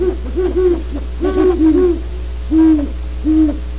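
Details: Great horned owls at Starr Ranch, California, trading deep hoots: quick paired notes early on, then two longer, drawn-out hoots, all over a continuous low hum.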